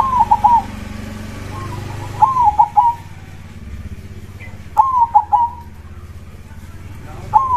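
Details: Local zebra dove (perkutut) singing in the 'dor krosing' style: short bursts of clipped, falling cooing notes about every two and a half seconds, with a low rumbling hum underneath.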